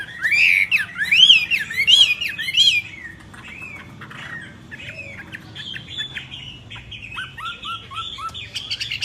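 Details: Myna song opening with loud, looping, squawky warbles for about three seconds. Quieter chatter follows, then a series of short downslurred whistles near the end, over a low background hum.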